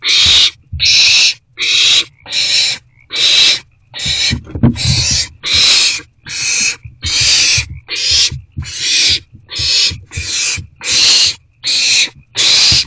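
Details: Owls at a nest box during two rodent deliveries, 29 March 2024, 7:41–7:44 pm: about fifteen raspy hissing screeches in rapid, regular succession, with some low rustling and thumping partway through.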